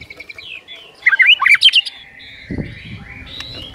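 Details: White-rumped shama in lively, full-voiced song, used to spur other shamas into singing: soft scattered chirps, then a loud burst of rapid twisting whistled notes mid-clip, easing into quieter drawn-out whistles over a low thump.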